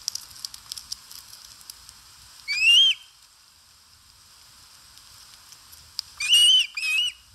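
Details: Osprey feeding at its nest in Satakunta, Finland, on a live camera, August 2022: three loud, slurred whistles, the first alone and then a close pair, over a soft crackling background.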